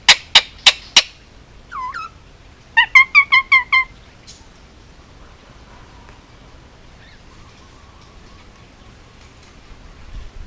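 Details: Almost two-year-old male Indian ringneck parakeet, hand-raised in Hawaii on Oahu, lets out four spaced harsh squawks, a curling whistle, then a fast stuttering run of five or six chattering notes before falling quiet.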